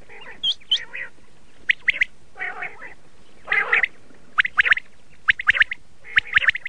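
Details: Laal batir, a red-shade common quail, utters grating squawks and short chirps in scattered groups, mixed with a couple of higher thin notes near the start.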